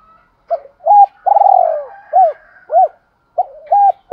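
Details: Caged spotted doves, male and female, calling to stir up trained birds: a brief note, one clipped hoot, a long trembling coo sliding down, then three arched hoots and another short phrase, clear against silence.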